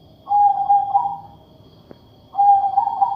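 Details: Katuranggan majapahit zebra dove with an unusual voice: two long, even, flute-like hoots about two seconds apart, the second ending with a slight wavering lift.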